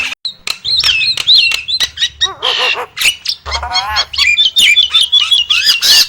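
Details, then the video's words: Nias hill myna giving a loud, varied run of clear rising whistles, liquid gurgles and harsh rasping squawks, packed closely together over a few seconds. "the alluring sound of the Nias starling"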